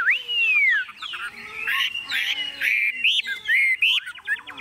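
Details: Caged Chinese hwamei, a tame hand-carried bird unafraid of people or other birds, singing while its cage is shaken: loud, clear whistled phrases, long slurred descending notes, then quick varied rising and falling whistles.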